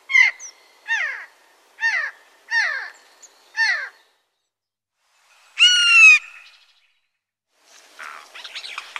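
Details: A Eurasian jay, an adult, gives five hoarse, downward-slurred calls about every three-quarters of a second, then a louder drawn-out screech and a final rasping burst; its raucous cries raise the alarm when someone enters its forest territory.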